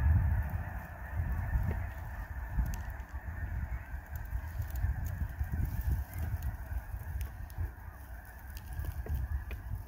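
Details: A huge flock of snow geese on a lake, wings flapping against the water as they lift off and settle, making a low, thunderous, unbroken rumble with faint higher calls above it.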